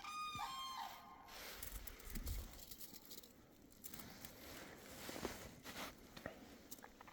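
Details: A crane in Finland in spring, on 15 April 2023, gives one loud, brassy trumpeting call rich in overtones in the first second. Rustling and outdoor noise fill the rest.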